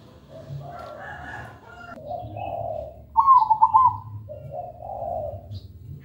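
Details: Local zebra dove singing steadily, kept to prompt other zebra doves that do not yet sing; soft, low rolling coos in short phrases, with one louder, higher, stuttering trill in the middle. Faint low rumble behind.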